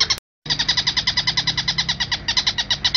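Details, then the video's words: Long-tailed shrike training recording, clear with pauses, made for caged songbirds to learn from: a fast run of harsh, nasal, buzzy notes, about seven a second, after a short silent break near the start, with faint low hum behind. "Masteran suara Tengkek Buto jernih dengan jeda"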